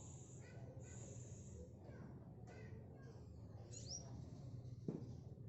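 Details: Tame speckled black sunbird singing during practice: high sizzling trills in separate bursts with one rising whistled sweep near the end, fairly loud low-frequency rumble throughout.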